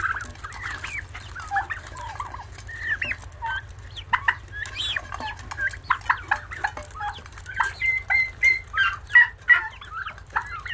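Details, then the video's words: Turkey chicks (young turkeys) give a busy chorus of short peeping and chirping notes, several per second, over a steady low hum. "guajolotes polluelos"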